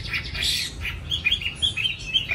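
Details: Young caged Chinese hwamei, said to have a white chin patch, giving varied short whistled notes and slurred phrases with a few harsher bursts, against low background noise.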